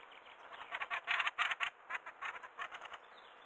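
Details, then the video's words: Fieldfare by a river, with birds flying past close by: a dry, harsh rattling chatter of rapid clicks, about three per second, loudest in the middle and fading toward the end. "Рябинник 160416 7 у реки пролеты рядом и треск"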